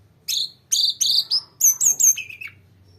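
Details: Short stretch of a grey-cheeked bulbul's long song: a string of about eight loud, harsh chirps, the later ones higher and ringing, then silence with a low background hum.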